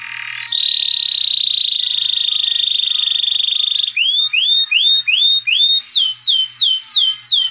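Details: Saffron finch (Sicalis flaveola), song.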